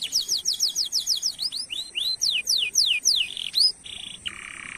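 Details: Lively canary singing, meant to coax silent canaries into song: a fast series of repeated descending whistled sweeps, then varied slurred notes and short buzzy rattles at the end.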